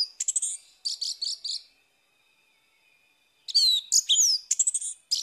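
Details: Morning song of an orange-headed thrush, intended to restart a bird that has stopped singing: fast, chattering high notes, a gap of about two seconds, then emphatic varied whistles and sweeping phrases.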